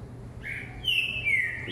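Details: Whistled song of a caged green-winged saltator working a hopping perch: a soft lower note followed by two strong, long, descending whistles, against a steady background hum.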